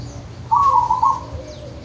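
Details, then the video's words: Zebra dove of a local wild type, recorded in nature at Wonogiri: one clear, loud, rapidly trilled coo lasting under a second against soft background hiss. "Suara perkutut lokal dari alam Wonogiri"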